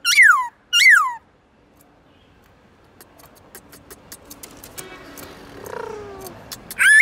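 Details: Black-throated laughingthrush singing in the forest style (giọng rừng), played to train other birds: two loud downslurred whistles with rich harmonics, then quiet clicks and faint whistles, and a loud note returning at the end.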